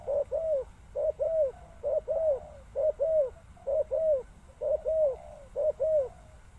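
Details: A spotted dove gives soft, low coos in paired notes, a short note then a longer arched one, repeated about once a second.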